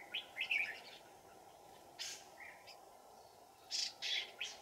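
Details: Red-whiskered bulbul as trapping decoy in deep mountains on a cold afternoon, 15 December 2018; short clipped chirps at the start and sharp bright notes near the end, separated by quiet stretches of insect hum.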